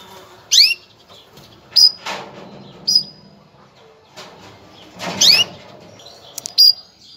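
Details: A female canary gives a mating call used to prepare males. It consists of short, high, sweeping chirps in scattered bursts, with soft rustling and wing flutters between calls.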